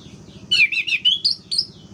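Orange-headed thrush giving a rapid run of sweet, warbled whistles, rising to higher thin notes at the end, over a low steady hum.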